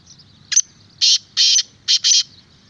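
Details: Black francolin giving its harsh, grating call: a short clipped note, then four rasping, buzzy syllables in a quick stuttering phrase, over a faint low rumble.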